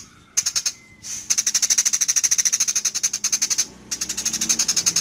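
A sparrow gives rapid, dry chattering bursts, about ten sharp high chips a second, in three runs separated by short pauses.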